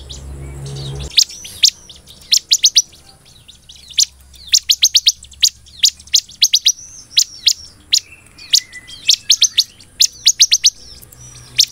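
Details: Ciblek (bar-winged prinia) singing continuously in 'belalang emas' style: a steady flow of shrill, high chirps in short bursts, after a brief low murmur at the start.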